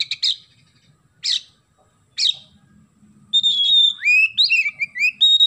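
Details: Oriental magpie-robin singing with sparrow-call filling: three separate harsh chirps, then a loud run of sweet whistles that rise, fall and flick in varied slurs.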